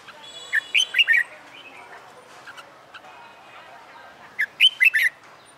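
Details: Caged wild-caught red-whiskered bulbul, trained for fighting song after months in a cage, sings two loud whistled phrases of four to five quick fluty notes, one at the start and one near the end, with faint chatter between.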